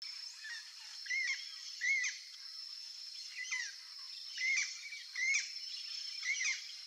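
A young Turquoise-fronted parrot gives short, harsh, squawky calls with quick bends in pitch, several per burst at an irregular pace, over a steady high hiss.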